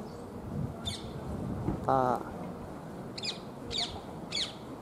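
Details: Rose-ringed parakeets at Souja Shrine, Maebashi, Japan, give four short, harsh, high screeches over about four seconds, with a lower nasal call, a human voice and steady outdoor noise behind.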